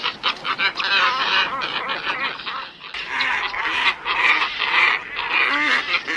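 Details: Lure recording of glossy ibis (local names rokoroko, gajahan): many birds giving rasping, nasal croaks that overlap into an unbroken noisy chatter, dipping briefly near the middle, with a few lower grunting notes standing out.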